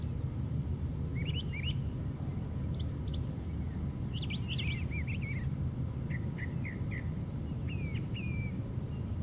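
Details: From the very top of a white pine, a brown thrasher sings short varied phrases of sharp, slurred chirps separated by brief pauses, some notes shrill and high. A constant low background rumble runs throughout.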